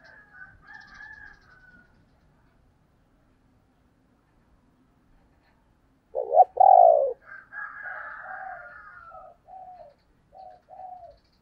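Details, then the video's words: Female spotted dove, 'thổ đồng' voice, played to attract wild males: faint soft notes, then after a pause one loud double coo, followed by quieter wavering hoots and short notes repeated to the end. "tiếng cu mái"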